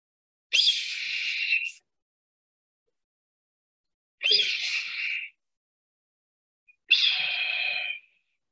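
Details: Red-tailed Hawk, a soaring hawk of central Alabama, giving three hoarse, shrieking screams, each about a second long and a few seconds apart; nothing else is heard.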